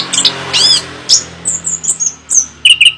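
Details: Chestnut-capped thrush, called anis kembang, singing in sparse, thin high notes: a few downward-curving whistles and short bright chirps with gaps between phrases, over a faint low background rumble.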